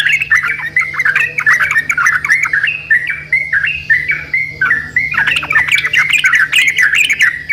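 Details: Several yellow-vented bulbuls in energetic back-and-forth song. A continuous tumble of chirpy, slurred notes overlaps almost throughout, with a persistent low electrical-like hum beneath.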